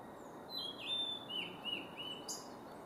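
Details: Male blue-and-white flycatcher singing at Kawaguchiko Field Center, Japan, on 4 May 2017: a run of clear, high whistled notes, some sliding down and others held flat, ending in a sharp upward flick, over faint background hiss.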